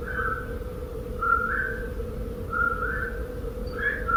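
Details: A Black-crowned night heron (Nycticorax nycticorax), recorded in Ireland around two in the morning during nocturnal migration, gives short, hoarse, mid-pitched flight calls overhead, three or four in four seconds, over a low steady hum.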